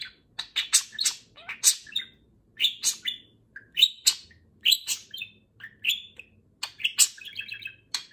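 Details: Morning chatter from a pet budgerigar talking while its companion grooms it, the two birds affectionate; steady stream of sharp high chirps and raspy warbles in quick clusters, separated by brief gaps, in a quiet room.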